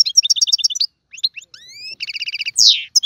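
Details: Goldfinch tiwawati-style song with fast repeated twitters and a few rising whistled slurs. A run of quick stacked notes follows, then a loud buzzy descending sweep.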